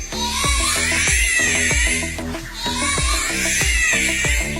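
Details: Loud electronic music with a steady beat and a high synthetic melody throughout.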